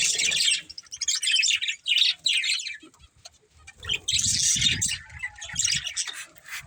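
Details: A breeding pair of pet budgies chirps in rapid bursts of high, rasping warble, pausing near the middle before a second loud stretch of chatter with soft thumps below.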